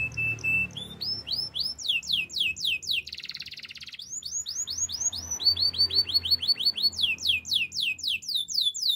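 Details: Singing canary in a training song: bright looping whistled notes repeated in long tours, interrupted by a short buzzy rattle, then more rapid curving whistles.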